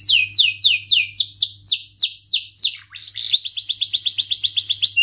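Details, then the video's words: Canary singing vigorously, a rolling cuit-cuit song used to tutor young birds: repeated downward-sweeping whistled notes about four per second, a brief dip, then a faster run of short, bright, even chirps, over a faint low hum. "Kenari Gacor Cuit cuit Ngerol"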